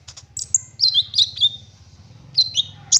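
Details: Olive-backed sunbird singing lively on a lure recording meant to prompt other sunbirds to sing: thin, very high chips and short descending slurred whistles, spaced unevenly, over a faint low hum.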